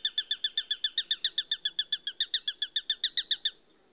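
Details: Eurasian sparrowhawk calling, a fast series of sharp, even, high notes repeated almost four times a second for about three and a half seconds, then falling silent.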